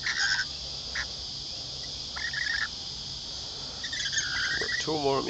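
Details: Hand-fed lorikeets at Lane Cove camping ground near Sydney, Australia give short, harsh screeching bursts, three or four in a few seconds, over a steady high insect drone, with a person speaking at the end.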